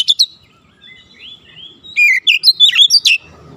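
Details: Recording of an oriental magpie-robin made to train young birds: two brief high chips, soft gliding whistles, then a fast run of loud whistled and chipping notes packed closely together.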